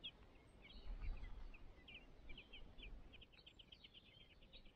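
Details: Begging from a Song thrush nest with five chicks being fed. Dense, overlapping high chirps pour out almost nonstop, with dull low thumps near the start.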